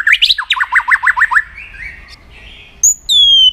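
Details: White-rumped shama training song meant to fire up shamas for singing contests: a quick series of about eight sharp rising chirps, a soft warbled stretch, then loud high descending whistles.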